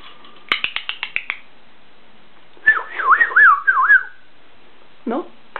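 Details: Pet macaw in a small room: a quick run of clicky taps, then a wavering, warbling whistle that swoops up and down several times, followed by a short low croak, while a person talks nearby.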